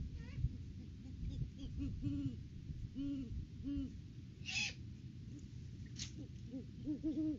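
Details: Wild pair of Great Horned Owls duetting at their nest tree on 3 December 2022, in the off-season before February egg laying, caught by a live cam. Deep, soft hoots come in short arched series, partly masked by low rumbling background noise.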